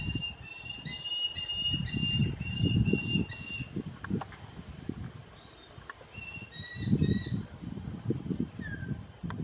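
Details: Young Southern crested caracara begging its parents for food, giving bursts of short, rapidly repeated nasal notes for several seconds, a pause, then another burst, with low murmuring voices and rustling underneath.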